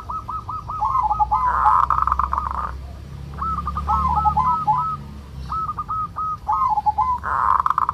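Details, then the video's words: Male local zebra dove from Indonesia, 'kerot' style song used as a lure to raise breeding urge: rapid stuttering trains of short clipped notes ending in a wavering coo, repeated in bursts with brief gaps. "Suara perkutut lokal NGEROT, solusi untuk menaikan birahi perkutut agar cepat rajin bunyi"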